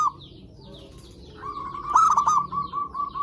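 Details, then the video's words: Zebra dove song meant to lure and excite other zebra doves: after a quiet gap, a long stretch of rapid, trilling coos begins, broken by a louder stuttering phrase, then continues in quick repeated notes. "Suara Perkutut Pikat Gacor AMPUH pancingan SEMUA BURUNG PERKUTUT BAHAN AGAR SEMAKIN BUNYI GACOR"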